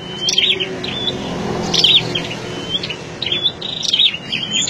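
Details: Flowerpeckers held in roomy net cages as decoys for trapping wild birds give bright, high-pitched tweets in short bursts, several clusters spaced irregularly, with faint low rumble underneath.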